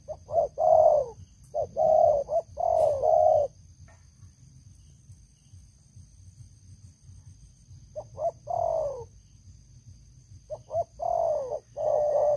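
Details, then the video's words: Experienced decoy spotted dove with a loud voice cooing in bursts, short notes running into falling coos, then a long quiet stretch before cooing resumes twice more, with faint clicks and low rumble. "Terkukur Pikat Lama, Selalu ok Suara besar"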